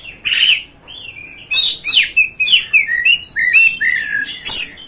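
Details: Oriental magpie-robin, called kacer, in a song used to provoke others: a harsh burst, then a rich warbling string of slurred, descending whistles ending in another sharp burst.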